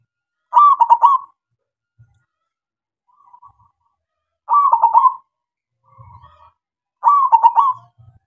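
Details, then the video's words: Local zebra dove singing as a lure to set silent doves calling: three loud, rolling cooed phrases about four then two and a half seconds apart, each a quick pulsed burr, with softer, fainter coos between them. "SUARA PERKUTUT LOKAL SUPER GACOR MEMANCING SEMUA KUTUT DIAM JAMINAN NYAUT"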